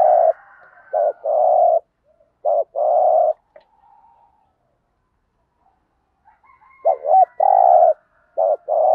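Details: Spotted dove in the 'thúc gù' lure style, intended to provoke wild doves: two bursts of low cooing, each a few short wobbling notes and long even coos, separated by a quiet gap with a faint soft murmur.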